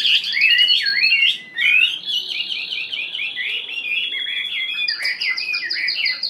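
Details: Hwamei taken from the wild and kept one week in a cage, delivering loud, rich song: swooping whistles, then long runs of fast repeated slurred notes, and a bright higher series near the end.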